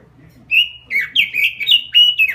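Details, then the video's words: Short burst of robin gacor song: bright, slurred whistles that sweep down and up, delivered quickly one after another, with faint low hum behind. "SUARA BURUNG ROBIN GACOR"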